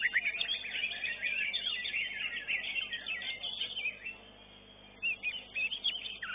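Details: A competition greater green leafbird (cucak ijo) at an Indonesian singing contest, where it won first place, pours out a fast, continuous warbling song of chattering and whistled phrases, pausing briefly before bursting out again.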